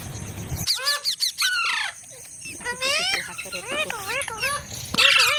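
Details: Parrot delivering a rush of squeaky, sweeping harmonic syllables with dips and rises, opening over low rumbling noise and ending in a loud harsh squawk.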